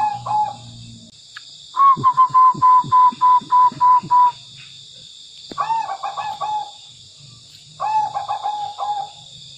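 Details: Lively tame zebra dove in full song: a rapid run of about ten even, clipped coo notes, then two shorter bursts of trilling, bubbling coos. A constant faint high-pitched hum sits beneath.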